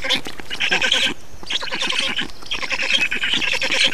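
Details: Black storks being fed in Estonia, June 2019. Three loud bursts of hoarse, buzzy squawking, each about a second long, are separated by short quieter pauses.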